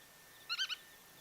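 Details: Black-tailed godwit, a passage migrant recorded in Japan (Kawagoe or Yonaguni Island), giving three quick, nasal, slightly buzzy notes in a short burst over quiet outdoor background hiss.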